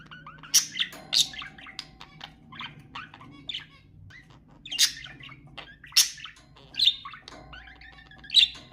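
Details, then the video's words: Budgerigars chatter in a busy warbling stream of scratchy chirps and bright high squeaks, with several loud sharp notes bursting out every second or so. "تحفيز طيور البادجي أقوى صوت بادجي تسمعه"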